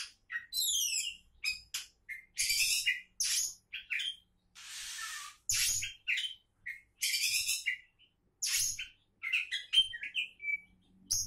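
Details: Oriental magpie-robin, a contest hopeful, pours out loud, varied phrases of harsh chatter, rolling down-slurred whistles and sharp chips in quick succession, with a short hiss-like noise and faint knocks between phrases.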